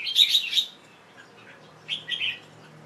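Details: Young male Red-whiskered Bulbul, a kept bird, singing on 1 January 2012 in late afternoon after bathing, before being covered to rest; two bright chirpy warbled phrases, the first longer and louder, the second softer after a short pause.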